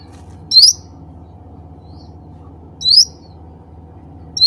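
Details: Cucak ranting bulbul calling other birds of its kind. Bright upward-slurred chirps come roughly every two and a half seconds against a constant low hum, with no other birds audible.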